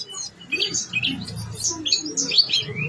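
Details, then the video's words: Blue-winged leafbird (tledekan gunung) singing a varied full song: soft chattering chirps and short squeaky notes, slightly muffled, over a noticeable low rumbling background. "Kicau Tledekan Gunung Gacor Super Istimewa ||| Isian Keluar semua..."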